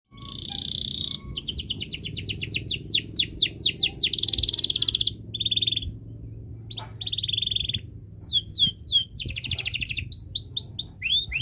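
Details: Canary in breeding condition, singing to set other birds singing: loud high song of rapid downward sweeps, fast buzzy trills and steady whistled rolls, with short pauses between phrases.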